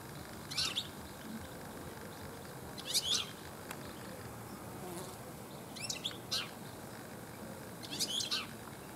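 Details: European goldfinch singing in a garden in the late afternoon toward evening: four brief bursts of high, tinkling twitter with buzzy edges every two to three seconds over a soft background hiss.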